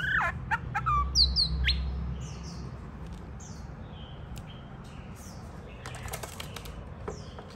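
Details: White-rumped shama, playing with a child and pecking the hand, giving a short burst of high whistled and chipped notes at the start before falling mostly quiet, with faint clicks and handling noise.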